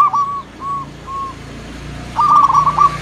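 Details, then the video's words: Song of a local zebra dove, used as a lure for other doves: three soft, evenly spaced cooing notes, then a louder stuttering burst of quick bubbly coos over a hissy background. "Suara perkutut lokal pikat dan pancingan paling manjur di putar sekali langsung jadi rame"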